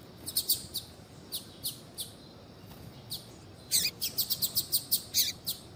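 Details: Double-collared seedeater female, calling to warm up a male into singing: bright high chirps in scattered pairs, then a rapid run of seven or eight clipped notes near the end, steady faint hiss behind.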